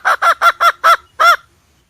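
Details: Hen call meant to lure birds into a trap: six short, honking notes with rich harmonics, evenly spaced at first, the last after a slightly longer gap.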